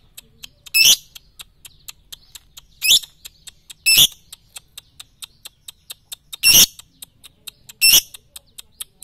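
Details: Lovebird tutoring track for morning, noon and night: five short, harsh, screechy chirps at uneven gaps of one to two and a half seconds, over continuous fast, faint, metronome-like high ticks.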